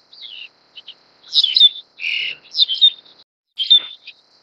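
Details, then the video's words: Black-collared starling feeding a chick: a series of harsh, squeaky chirps and raspy bursts, some with buzzy noisy notes and sharp upward squeals, in short clusters over a few seconds. "黑領椋鳥-育雛 / Black-collared Starling-Feeding chick"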